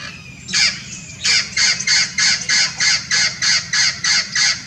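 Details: Hybrid Blue-fronted x Red-crowned Amazon parrot at Irvine Regional Park, Irvine, California, on a winter day, 9 January 2018: a run of about eleven harsh, raspy squawks, roughly three per second, over a low steady hum.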